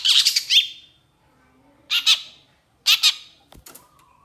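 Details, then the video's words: Long-tailed shrike, used as a training sound for stressed or silent shrikes, gives three harsh, scratchy chattering bursts about a second apart, each ending in a sharper squeak, then a faint click. "SUARA PENTET GACOR DOR EMOSI TEMBAKAN PANJANG"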